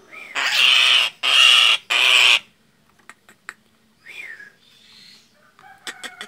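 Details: Frightened Nias hill myna giving alarm calls used to lure birds: three loud, harsh, drawn-out screams about a second each, followed by quieter clicks, a short rising-falling note and soft rustling.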